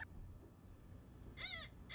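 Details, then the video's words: Pileated Woodpecker, recorded by a trail camera in the East Tennessee foothills of the Smoky Mountains in 2025, heard in the background giving two loud, nasal, slightly arched calls close together near the end, over a low rumbling background. "And here's the biggest of all the woodpeckers, the pileated woodpecker. You hear him in the background."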